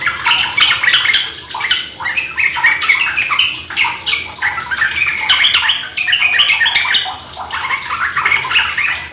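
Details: Long stretch of yellow-vented bulbuls singing in rapid 'ropel gacor' fashion: lively, jumbled chatter and slurred whistles from several birds, rising and falling in intensity with no pauses.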